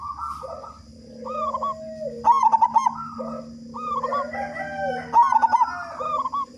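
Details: Several loud local zebra doves prompting others to sing: choppy rapid pulsed bursts twice, surrounded by bubbly coos and lower drawn-out coos from neighbouring birds.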